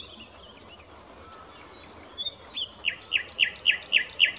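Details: Song of a common nightingale: soft high whistled phrases and a pause, then a loud rhythmic run of repeated down-slurred notes paired with sharp high clicks, building in volume.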